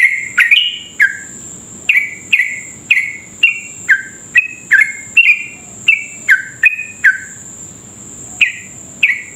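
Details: A sooty-headed bulbul delivers a lengthy stream of short, loud, falling whistled notes, a lure song meant to set other bulbuls singing fast. Notes come roughly every half second with small pitch changes, over a steady high background whine.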